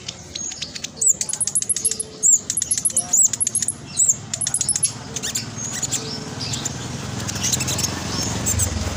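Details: Black sunbird, a 'trotol' bird in full voice, used as a master call to coax silent or lazy birds to sing: very high, fast, tight chattering 'nyerecet' phrases of thin twisting notes, then scattered clicks and faint background rustle.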